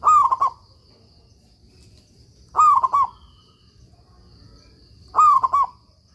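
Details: Local Zebra Dove singing, used as a master recording for training stalled doves; three cooing phrases, each a rising note then quick stuttered coos around the same low-mid pitch, repeated about every two and a half seconds over a faint steady hum.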